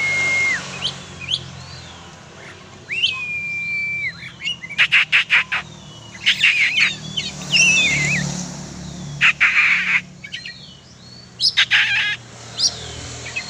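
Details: Kacer (oriental magpie-robin) let out for exercise, singing a long varied song: level whistled notes with upturned ends alternating with harsh rattling bursts and clicks, over a low engine hum.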